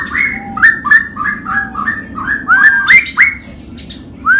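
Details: Straw-headed bulbul, locally cucak rowo, in ropel song alongside a samyong: rapid chain of short mellow whistled notes about three per second, ending in brighter upslurred whistles over a faint low hum.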